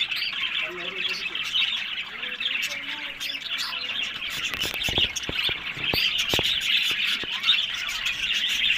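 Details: Pet budgerigars kept for breeding in Larkana, Sindh, fill the air with steady high twittering and chirps from a crowd of birds, while sharp tapping clicks sound during the second half.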